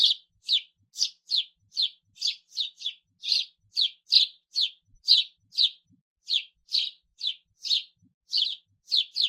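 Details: Lively sparrow chirping: roughly two clipped, high chirps every second in an uneven but constant run, each note sharp and slightly falling, with no other sounds.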